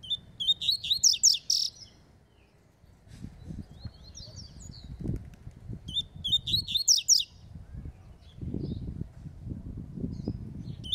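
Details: A Double-collared seedeater in a competitive song dispute gives two bursts of bright, rapid, high warbled phrases, with a brief softer phrase between; low thumps and handling noise run underneath.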